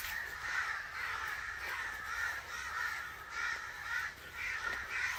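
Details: Raspy caws pour out almost nonstop from an angry crow, overlapping and rising and falling in intensity.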